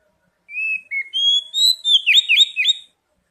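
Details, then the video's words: Lure song of an oriental magpie-robin used as singing therapy: long, smooth whistles that step upward, leading into a rapid series of loud, twisting whistled notes. "Pancingan kacer bahan dan terapi bunyi | cepat bunyi respon"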